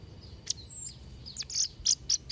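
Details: Blue-crowned hanging parrot song used for training young birds: short, very high, thin chirps and squeaky notes in scattered bursts, some rapid ticking near the end, over a low steady hum.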